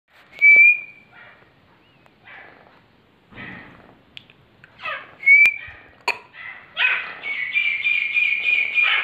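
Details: Young male grey francolin (teetar) answering a whistle: two short rising whistled notes, then harsh, buzzy calls grow louder into a dense, sustained burst near the end.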